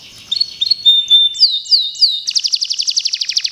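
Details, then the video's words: Local canary meant for a singing contest: short chirps, a clear whistled note, three downward-swooping phrases, then a fast, even high trill of about eighteen pulses. "Burung Kenari Lokal yang Mau ikut Lomba"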